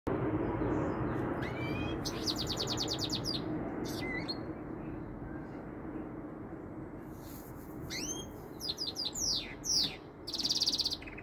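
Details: Goldfinch mule, a goldfinch × canary hybrid with some canary notes, that sings all day long: scattered bursts of rising whistles and buzzy trills separated by quiet gaps over a steady low hum.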